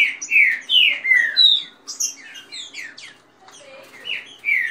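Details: Kept Green-winged saltator singing a fast song for warming up, with female calls and rain song: rich, slurred whistled phrases in a quick series, some descending, with a short quieter gap midway.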